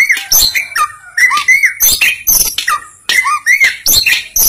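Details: White-rumped shama of the Simeulue type sings a loud, varied song: rich whistled phrases that rise and fall, mixed with harsh buzzy notes and sharp clicks, delivered in rapid bursts with brief pauses.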